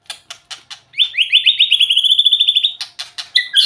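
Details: White-rumped shama song: a few sharp clicks, then a long, fast, buzzy trill that slowly rises in pitch, followed by more clicks and short whistles.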